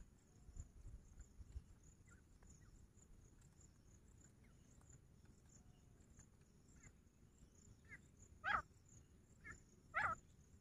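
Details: Grey francolin (teetar), recorded 2 August 2023: after a long stretch of low rumbling background and faint scattered clicks, two loud harsh stacked call notes ring out near the end, about one and a half seconds apart, with a steady high insect-like hiss throughout.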